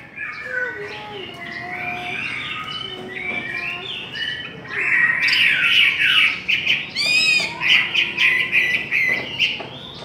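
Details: Contest song of the Chinese hwamei: quieter varied warbling at first, then louder, denser, rapidly repeated whistled and buzzy phrases, with sharp rasping notes near the middle.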